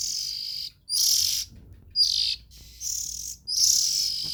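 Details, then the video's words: Oriental magpie-robin nestlings give rasping, breathy hisses, four main bursts of roughly half a second each, high and noisy in tone, spaced by brief pauses over a quiet background. "Tiếng Chim Chích Chòe Than Non Kêu Hay Nhất"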